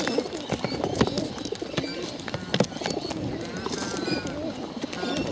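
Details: Hungry bottle-fed pigeons: low, wavering murmurs repeat under a steady stream of sharp clicks and taps, with a person talking briefly in the background.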